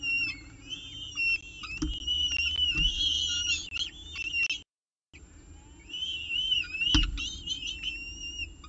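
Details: Peregrine falcon nest at CSU Orange during the evening meal, 18 October 2018, 6:51 pm, nest camera: repeated high, wavering wails and whines in dense runs, a short dropout midway, a few knocks and low rumble.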